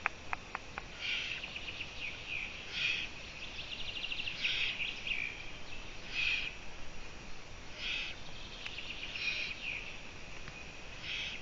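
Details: Eurasian eagle-owl at 04:49 on 14 June 2017, from a live camera stream: harsh, raspy bursts repeated roughly every one and a half seconds, with a few sharp clicks at the start and a steady background hiss.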